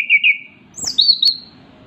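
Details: Orange-headed thrush (Geokichla citrina), a vocal singing bird, gives a melodious song of clear, high whistled phrases: a steady warbled note, then a higher sliding whistle and a sharp click.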